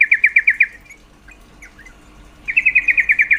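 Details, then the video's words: A female yellow-vented bulbul gives a call meant to arouse male breeding drive. Two rapid bursts of clipped, repeated chattering notes are separated by a quiet gap with a few faint, soft notes. "Suara panggilan trucuk betina sangat efektif mendongkrak birahi trucuk jantan"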